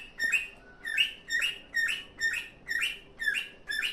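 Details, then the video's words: Pet cockatiel singing happily, a steady series of eight or so bright, upward-sweeping chirps spaced roughly half a second apart. "happy singing"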